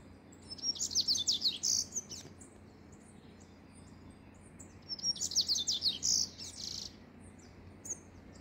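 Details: Rusty-collared seedeater song: two matching phrases of high, quick chirps running into a buzzy trill, each lasting about two seconds, separated by several seconds of soft background hiss.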